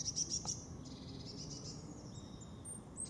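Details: European robin singing in the Veerse forest, Netherlands, 8 March 2014; very high thin trilled notes, then a long sustained high whistle and a lower drawn-out tone, soft and somewhat distant over a low background rumble.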